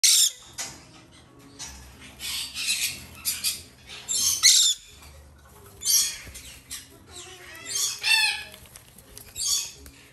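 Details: Two captive-bred female Black-headed caique chicks in a shop, hand-fed three times daily, give harsh, buzzy squawks in short bursts, some with rapid shrill overtones, separated by quieter gaps and faint background rustling.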